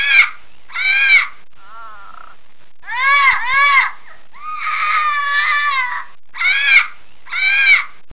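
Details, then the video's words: A scarlet macaw gives loud, harsh, rasping squawks in short bursts, some drawn out and wavering, separated by brief pauses. "Scarlet macaw sound's"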